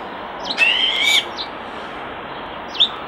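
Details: By a nest box, a common starling holds a drawn-out, slightly wavering whistle framed by clicks, then a short pause and a final squeaky note, over steady background hiss.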